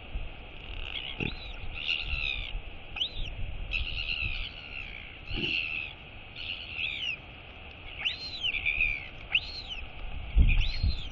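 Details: Royal albatross chick, wakened by its mother arriving to feed it, calling with repeated high arched whistling wheeps, irregularly spaced, over low background rumble and soft thumps.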